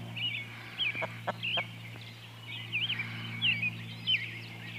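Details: Twenty-day-old Partridge Cochin x Barred Rock mixed-breed chicks out walking with their mother hen; high, thin wavering peeps in short scattered bursts, a few soft low clucks early on, steady low hum behind.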